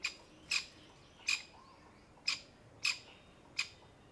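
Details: Grey francolin mother, alarmed for her newborn chicks gathered around her, sitting camouflaged among brown, dried summer leaves in the heat; six sharp, harsh, high notes spaced about half a second to a second apart.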